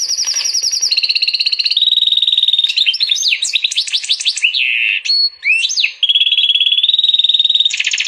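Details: Hybrid of a female canary and a Portuguese goldfinch in continuous strong song: steady whistled notes shifting pitch, quick rising and falling slurred chirps in the middle, ending on a fast rattling trill.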